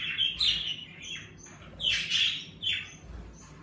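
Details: Indoor pet budgerigars in a bird room, lively with the warmer season, call in clear high chirps and whistled notes, several loud bursts separated by short pauses.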